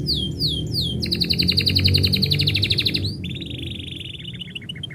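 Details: Canary song when its owner is about to go out, opening with falling whistled sweeps, then a fast bright trill, then a lower, steadier rattling trill.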